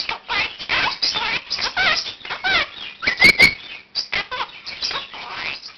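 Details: Morning wake-up chatter from a one-year-old captive Quaker parakeet practising learned words and phrases at 7 am. Rapid, grating, speech-like syllables run almost nonstop, with sharp squeaks and other room birds calling along.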